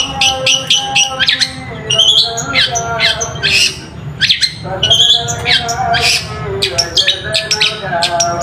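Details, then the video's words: Long-tailed shrike singing to provoke reluctant shrikes. Harsh squawking notes and sharp scratchy calls come irregularly over a faint lower tonal hum. "pancingan JITU MERANGSANG EMOSI CENDET MALAS BUNYI Seketika Nyaut Dengan Cendet ini"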